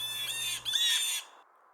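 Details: Blue Jay at a feeder on a spring morning, with several jays and a ruckus over peanuts: a harsh, raspy squawk in two quick bursts lasting about a second, over a faint steady high tone.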